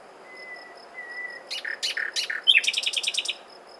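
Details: Common nightingale song opens with two long, quiet, pure whistles, then three or four harsh, repeated notes and a fast, ringing trill of about ten pulses. A faint high tone persists behind.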